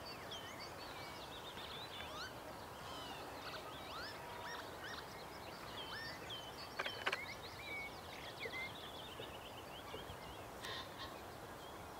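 Black-winged stilts give sharp, yapping notes that overlap in a busy chorus. Other birds chatter over a steady rumble of background noise.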